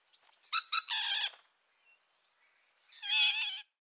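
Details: Loud rainbow lorikeet screeches: a quick double shriek running into a grating rasp, then silence and a second wavering, buzzy screech.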